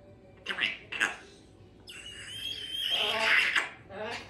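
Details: Chatty captive female Congo African Grey parrot indoors, a Yellow-naped Amazon parrot sharing the home: two brief speech-like syllables, then a long sustained whistled note running into a loud, harsh, talking-like phrase and a final short burst.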